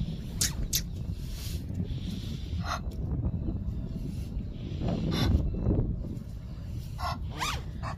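Egyptian goose giving harsh, rasping honks in short irregular bursts, some doubled, over steady low rumbling wind or handling noise.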